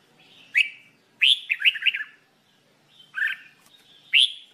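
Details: Red-whiskered bulbul singing, offered for song training: bright, loud chirped notes and a quick warbling run of several syllables, separated by short pauses against a quiet background.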